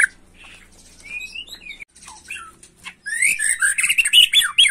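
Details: Young white-rumped shama, agitated, singing quiet scattered notes and short slurred whistles, then breaking into a loud, dense run of chattering, warbling phrases.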